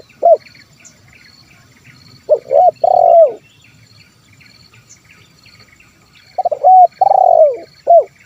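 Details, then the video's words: Spotted dove giving a 'kuk 1' style song, meant to call in wild birds: short separate coos and two phrases of double notes with a long rolling, downward-ending coo, with faint chirps high above. "SUARA TERKUKUR KUK 1 MEMANGGIL BURUNG LIAR"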